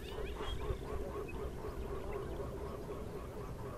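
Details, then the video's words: Black-necked swans giving soft, wheezy, rising-and-falling notes about four times a second, over a steady low rumble. "Canto del Cisne Cuellinegro"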